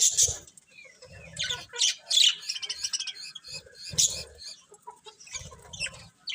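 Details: Colourful pet budgies chirping and warbling in loud scratchy bursts separated by short gaps, with low thumps or wing rustles now and then.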